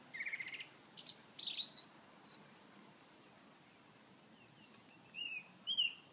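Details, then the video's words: Song thrush in song at Edinburgh Botanic Gardens, 29 May 2013: a short buzzy trill, then a varied burst of high sliding whistles, a pause of several seconds, and two brief clear whistled notes, with quiet background hiss. "Song thrush"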